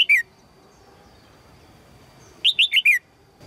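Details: Female red-whiskered bulbul calling to summon a strong male: a lone falling chirp at the start, then after a pause a rapid series of four bright chirps, each sweeping down, over a quiet background with a faint high tone.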